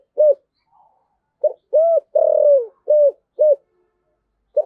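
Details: Repeated low coos of a spotted dove, 'thổ sấm' voice style, 'thúc gù' cooing: a full phrase of short hoots around one long descending note, with an extra coo before and after.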